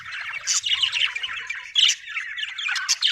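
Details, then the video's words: Happy budgies in lively, dense chatter: quick squawks and high chirps crowd together in rapid bursts with almost no pause. "happy budgie chirping sound"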